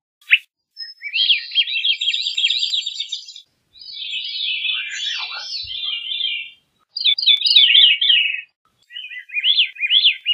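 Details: Veery song phrases: reedy, spiralling whistled trills in several bursts separated by short gaps, with a brief descending sweep in the middle; no other noises.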